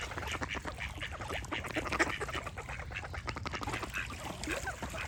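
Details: Ducks quacking with birds singing: a dense, continuous chatter of short, rough, nasal quacks overlapping one another throughout, with scattered higher chirps above.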